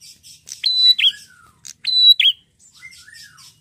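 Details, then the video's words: Prinia, described as red-headed, in vigorous song used to draw replies from other prinias: paired phrases of a clipped tick, an even ringing whistle, and a falling buzz, followed by softer slurred downward notes. "prenjak apapun langsung nyautt gacor dengan prenjak gacor ini"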